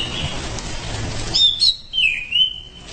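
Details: Orange-headed thrush in continuous gacor ngerol song: a few clear, high whistled notes dipping and wavering in pitch, preceded by a soft warble, with constant background hiss.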